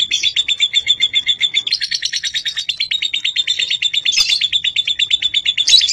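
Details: Lovebird calling with a fast, continuous run of high, rapid chirps near one pitch, pulsing steadily through the whole stretch, with a brief sharper burst and a click partway.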